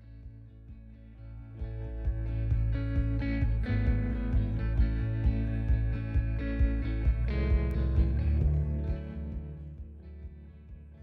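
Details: Guitar music plays throughout, with steady plucked and strummed notes and no animal voice.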